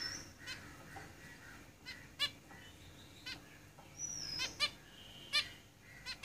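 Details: Caged zebra finches give quick nasal beeps in loose clusters, with a sliding high whistle and soft buzzy notes in between.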